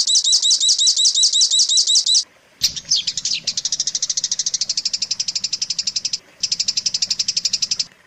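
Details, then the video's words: Long-tailed shrike tutor song for training champion birds: looping high whistles, then after a cut a fast, even rattling series of sharp high notes, with a short pause near the end. "suara masteran burung cendet paling di cari"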